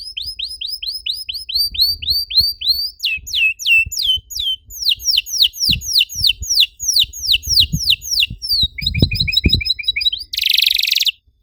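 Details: Singing canary, used to provoke song in other canaries: repeated hooked whistles, varied slurred phrases and quick trills, with a faint low background rumble and a harsh burst of noise near the end.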